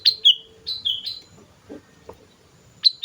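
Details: Sooty-headed bulbul singing actively in a lure recording: bright, bubbly whistled phrases of two or three descending notes, repeated several times with short gaps, over faint low background hum.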